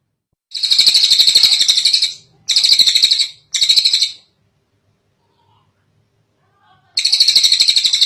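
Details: Tengek cililin kingfisher in a long training recording for other birds: three rattling bursts of fast chattering notes, the first longest, separated by short gaps, then a pause and a fourth burst.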